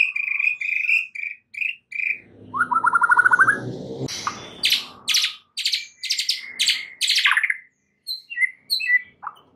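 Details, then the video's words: Lure song of a white-rumped shama, meant to snap stressed shamas into vigorous song: repeated bright chirps, a fast buzzy trill, a series of sharp clicking notes, then scattered high chips. "PANCINGAN Murai Batu satu ini mampu Atasi Murai STRESS seketika jadi GACOR NGAMUK"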